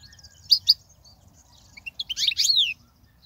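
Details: Goldfinch song for tutoring young birds: two quick high chirps, then after a pause a denser tumbling run of twittered notes ending in a long falling slur; faint low hum beneath.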